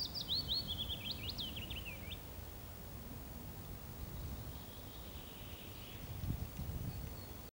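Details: A willow warbler (Phylloscopus trochilus) sings its spring song, one sweet, high phrase of about two seconds sliding down the scale in soft notes, against a steady low rumble of wind or distant traffic.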